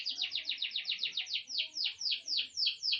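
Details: Grey songbird, eight months old, gives a fast, regular string of bright downslurred notes that gradually slows and spreads out toward the end.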